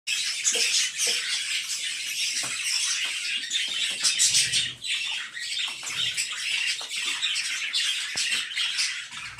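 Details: Budgerigar chicks, five being fed by their father, give a dense, continuous chorus of high, raspy squawks and chirps.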